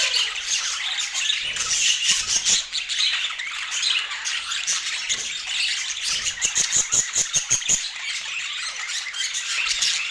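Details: Budgerigars during a healthy food routine chatter in quick high chirps and tweets, while a run of crisp clicking taps, perhaps from pecking, repeats rapidly in the second half.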